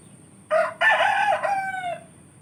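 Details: A rooster in a village gives one loud, hoarse crow: a short opening note followed by a long, drawn-out phrase that fades at the end, over a faint background hum.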